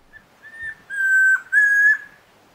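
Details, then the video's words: Chestnut-crowned antpitta, locally called Tororoi Comprapán, at Alto San Miguel: a soft lead-in, then two long, loud, pure whistled notes held level at one pitch, with a brief gap between them, in an otherwise quiet setting. "Guía Sonora de Aves - Alto San Miguel: Grallaria ruficapilla, Tororoi Comprapán"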